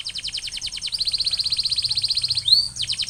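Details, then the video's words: Canary singing a training song to stimulate other canaries: rapid rolling trill of evenly repeated high notes, about eight per second, broken once by a rising whistled slur before the roll resumes. "Canary Sound Trigger: Turn Silent Canaries into Instant Singers!"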